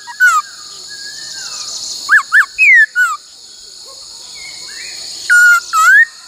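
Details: Whistled black-throated laughingthrush training song in the "bắt cô trói cột" style: scattered clear notes, two arched whistles and falling slurs, then a flat and an upward-curving whistle, over soft hiss.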